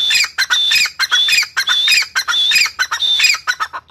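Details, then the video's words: A grey francolin, possibly a female, gives loud, harsh, high squawking notes with a thin whistled edge, in quick broken bursts about twice a second. "Teetar sound - teetar ki awaz gray francolin teetar sound female teetar sound"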